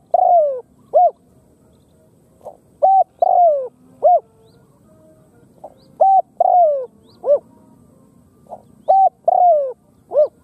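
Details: Khmer spotted dove calling in close succession: several phrases of short mellow coos around a long descending croo, with a soft lead-in note before each group and low background hiss.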